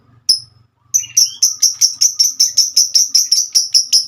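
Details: Female lovebird in a long ngekek chatter: after a lone high chip, a steady train of sharp, high, rasping notes repeated about three times a second, evenly paced, in a quiet room.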